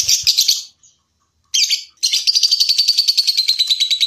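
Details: Lovebird calling for contest training: short shrill bursts, then a sustained, fast, high rattling trill, steady and buzzy, lasting about two seconds.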